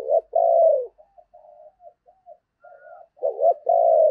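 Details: Decoy spotted dove cooing in the Tet season to lure wild doves: a loud throaty two-part coo, short note then long falling one, followed by soft low murmuring notes and a second loud coo at the end.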